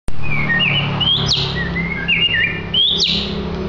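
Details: An approximately two-year-old captive white-rumped shama (20 cm tail) at a coffee shop in Sidoarjo, Indonesia, sings clear, varied whistled phrases that slide up and down, with two sharp upward-sweeping notes, over a steady low hum. It sings nonstop once uncovered each morning.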